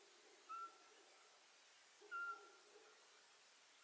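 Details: Eurasian pygmy owl calling: two faint, clear whistled notes about 1.6 seconds apart, each a short steady piping tone that trails away, against a quiet hiss.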